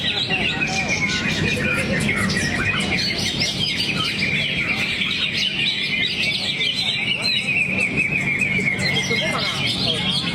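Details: Greater green leafbird delivering its song repertoire while in a relaxed 'teler' posture: a dense, continuous stream of bright chirps and whistled notes held high, with low background rumble and chatter throughout.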